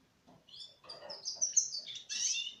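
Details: Four-month-old Russian canary singing: scratchy low twitter gives way to high whistled notes and a bright, dense trill near the end.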